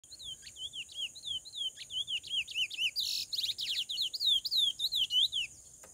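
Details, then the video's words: Chestnut-bellied seed finch pouring out a fast, continuous string of clear, slurred whistles, rising and falling, with a steady high insect-like hiss and a brief rattle behind. "Curió fenômeno na pegada"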